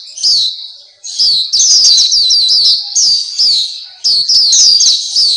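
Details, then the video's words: Song of a Black-capped white-eye, recorded as a master track for training pet birds: a brief opening chirp, a pause, then rapid runs of high, twittering, down-slurred notes. "Terapi Masteran Pleci Black Capped/Pleci Papua"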